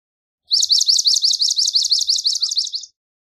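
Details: Swamp sparrow song: a single even trill of about a dozen high, sharp chipping syllables, each a quick down-up note, delivered at a steady pace for over two seconds, clean background.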